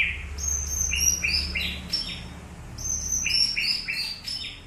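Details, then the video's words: White-rumped shama song during a training session: fast bursts of high, clear whistled notes at varied pitches, delivered in two rich phrases with a brief pause between them, over steady low rumble. "Latihan Murai Batu"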